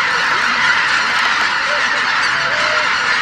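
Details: Geese gathered at Shishihana on Izunuma marsh on a cloudy morning: a dense, roaring chorus of many overlapping honks, with a few clearer nasal calls rising and falling above a steady wash of flock noise.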